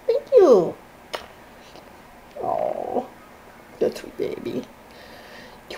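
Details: A pet 2-year-old female Monk (Quaker) parakeet blows short, buzzy, spluttering raspberries in a few bursts. A person talks softly to her between them, and the owner says she can be heard saying she loves them.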